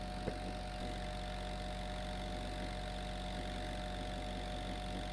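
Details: A low idling engine drones steadily throughout, with one brief click near the start and no animal calls.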